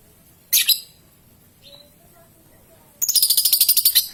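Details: Young lovebird calling in a lure recording for long ngekek and ngetik song: one harsh shrill chirp, a faint short whistle, then a rapid rattling trill of about fourteen sharp high notes lasting over a second.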